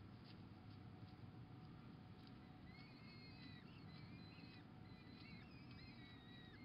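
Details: Female peregrine falcon feeding a pigeon to her chicks on 26 April 2021; thin whistled, squealing calls rise and bend over the second half, faint above a steady low rumble of background noise.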